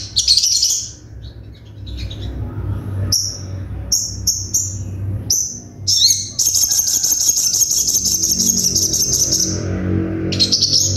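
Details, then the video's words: Crimson Sunbird (sogon), from a masteran tutor recording full of sharp 'tembakan' bursts: very high, rapid buzzy trills in short stabs and one long sustained rattling run, with low steady hum underneath. "MASTERAN SOGON FULL TEMBAKAN TAJAM"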